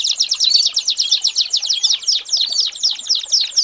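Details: Tutor recording of an American singer canary for teaching young birds. A rapid, bright, high trill of quick repeated notes sounds continuously.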